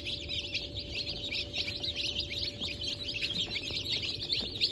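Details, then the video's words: Brahma and Wyandotte chicks just out of the egg, hatched 4 August 2024: a dense flock of high, short, piercing cheeps repeated rapidly and overlapping without pause, with faint low hum beneath. "Yeni Çıkım 04.08.2024 - Brahma , Wyandotte"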